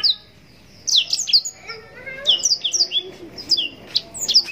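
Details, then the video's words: After a moment of quiet, a blackthroat (yellow-rumped serin) bursts into bright song of rapid high whistles and descending chirps, repeated in quick succession, with a low hum in the background. "Blackthroat gacor nembak panjang cengkok mewah full durasi panjang‼️blackthroat bird sound mastering"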